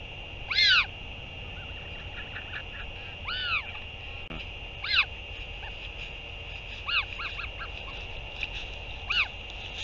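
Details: Northern royal albatross at a nest on 8 June 2023 as a parent returns to feed its chick; short arched, downward-bending nasal calls come in scattered bursts, with a steady high hiss running underneath.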